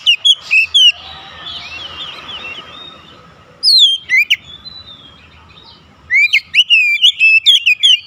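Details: Oriental magpie-robins answering one another: loud clipped whistles, quieter distant twittering, then a single loud phrase and a final spirited run of rapid, swooping whistled notes.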